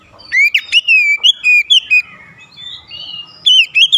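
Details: Oriental magpie-robin singing at a rival: a sequence of clear whistled notes, some drawn out and wavering, then a softer lull before a final loud burst of whistles.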